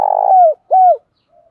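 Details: Spotted dove lure bird calling to provoke fighting; a long buzzy coo followed by a shorter, clear falling coo, loud and close with a quiet background.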